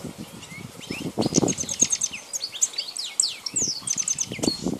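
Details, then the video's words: Wild Balkan-form European goldfinch from 2010 singing a lively stream of high twittering notes, downward slurs and short trills, accompanied throughout by low dull thumping and knocking noises. "Abu Asfur : Carduelis Balkania (khalwi / sauvage)"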